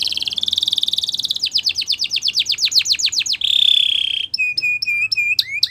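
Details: Spanish Timbrado canary singing for training canaries: a rapid trill leading into a sequence of sharp falling strokes, a steady buzzy tone, then clear bell-like repeated notes with pauses.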